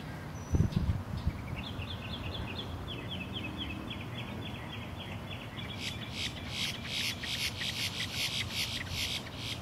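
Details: Two male boat-tailed grackles, puffed up and flapping their wings while staring skyward, call to attract females: a run of quick, squeaky chattering notes, then harsh, rasping bursts, over a steady low rumble.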